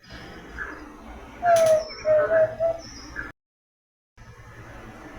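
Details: Zabele Tinamou, endemic to Brazil and mainly found in the Northeast and Minas Gerais, gives a few pure, slightly falling whistles in quick succession, each under a second, over faint hiss and a brief sharp noise.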